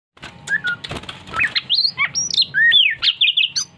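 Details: Oriental magpie-robin, known locally as kacer, singing indoors; loud varied whistled phrases with rising and falling slurred notes and quick chips, low room hum beneath.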